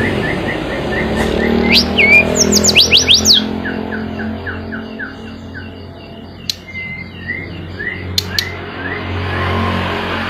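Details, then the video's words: Lure song of a mountain flycatcher for caged birds that won't sing: fast run of bright descending notes and chips early on, then sparse whistles and clicks over a low background drone. "Tledekan Gunung Gacor Ampuh Buat Pancingan Tledekan Macet"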